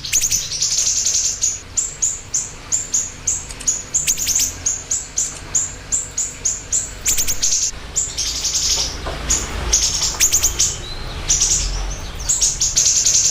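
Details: Long run of siri-siri bird song: steady, evenly paced very high chirps, about two per second, then denser twittering bursts, with soft rustling and rumbling noise later on.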